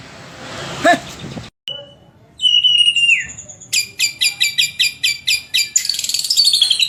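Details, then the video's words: Melodious white-rumped shama song: after a brief noisy burst and a short pause come high whistled notes, then a run of about ten sharp repeated notes and a final high rapid trill. "Saura merdu kicau burung murai"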